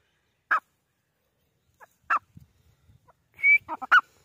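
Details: Irani teetar, or grey francolin: two loud, brief, harsh notes about a second and a half apart, then a rising whistled note and a quick cluster of clipped notes near the end, against a quiet background.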